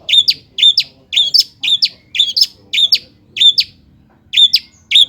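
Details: Long-tailed shrike, meant to spur lazy birds to sing, delivers a brisk run of about ten harsh, grating paired chirps, nearly evenly spaced, with a short gap before the last two.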